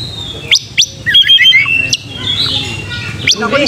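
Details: Oriental magpie-robin song used as a lure to push a young bird into singing, fighting and tail-spreading: sharp upward-swept whistles, then a run of clear level and falling notes, with scratchy chirps overlapping.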